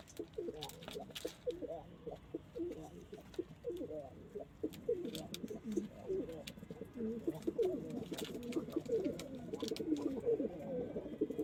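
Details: A flock of domestic pigeons, local, Indian, Chinese and homing breeds; many overlapping low, rolling coos fill the whole stretch, with scattered clicks and wing noise.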